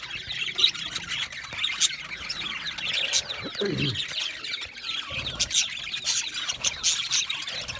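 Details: Budgerigars in an aviary keep up steady high chirping and chattering, with sharp clicks throughout and a brief low swooping sound midway.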